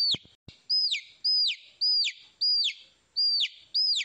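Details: Young chickens calling with piercing downslurred peeps, about one every half second, preceded by a couple of sharp clicks at the start.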